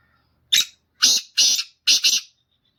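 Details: A black francolin (kala teetar) sings a loud, harsh, grating phrase: one short rasping note, then three more in quick succession, the last two closely doubled.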